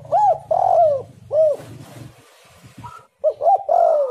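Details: Lure recording of a spotted dove singing: deep, soft coos in quick succession, a long sliding coo after two short ones, a brief gap, then another rising-and-falling series, over a low rumbling background.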